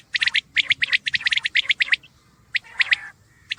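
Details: A common quail delivering a rapid string of crisp three-note phrases, the pips tumbling one after another, then a pause, a husky churr and another triplet.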